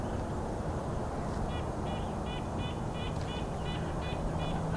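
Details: In winter at a spruce campground, a Red-breasted Nuthatch gives about nine short, nasal, tin-horn 'yank' notes, three per second, alongside an evening grosbeak, over a heavy low rumble of wind and distant traffic.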